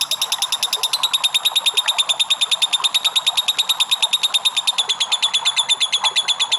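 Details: Lovebird in an extended ngekek used to provoke other birds: a very quick, even rattle of shrill clipped notes, around three per second, continuing evenly from start to finish.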